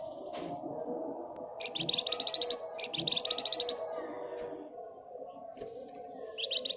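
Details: Flamboyan bird singing gacor nyerecet: several separate bursts of rapid, shrill, buzzy trills about a second apart, plus brief high squeaks, all over a persistent low hum.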